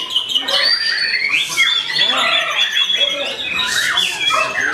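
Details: White-rumped shama beginning to fight back against a rival, singing loud, varied whistled phrases with rising and falling slurs and rapid chattering notes, overlapping densely with other bird sounds throughout.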